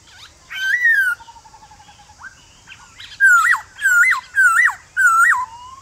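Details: Forest-style morning song of a male White-cheeked Laughingthrush, used to prompt wild-caught birds to answer. A falling whistled phrase and a faint rattling trill lead to four loud, repeated notes that rise and then drop sharply.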